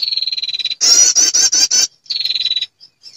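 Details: Female prinia lure call for attracting males: a steady buzzing note, then five loud rapid high pulses, then another shorter buzz.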